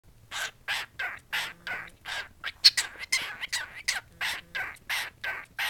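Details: A male pet cockatiel sings 'Bad Bird', a tune he learned from his owner singing it, as a run of harsh, raspy chirped notes, about three each second, steady in pitch and with short gaps between them.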